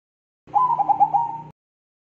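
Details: Zebra dove of the Bangkok type delivering a lively crossing-style song: a brief stuttering coo, five or six fast pulsed notes held at one even pitch, ending abruptly into silence.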